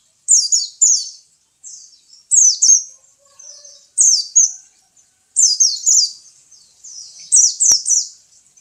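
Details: Pet white-eye (pleci) singing short, high-pitched twittered phrases of quick descending chirps, repeated about every second with brief pauses, ending near a single sharp click.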